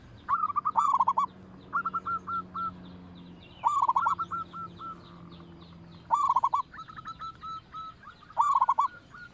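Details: Local zebra dove used as a loud lure to start other doves singing: a rolling triple coo followed by a string of spaced single notes, the phrase repeated about every two and a half seconds.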